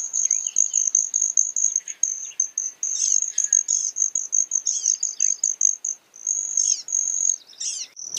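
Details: Broad-tailed hummingbird: an almost continuous shrill, metallic buzzing trill, pulsing in short bursts, mixed with rapid squeaky chips and twitters and a clunk at the very end.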